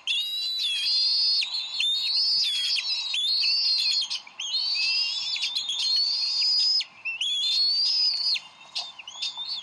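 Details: Bald eagles at their Decorah nest on 30 May 2012: the parents squabble over a fish the male brought, before the female feeds the eaglet. Shrill, whistled calls with sharp chatter run in long bursts, broken by brief pauses.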